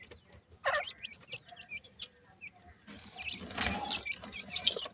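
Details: Grey francolin chicks calling their mother during feeding: a sparse string of short, high, hooked peeps, then a rougher stretch of scratching noise with a few chirps on top.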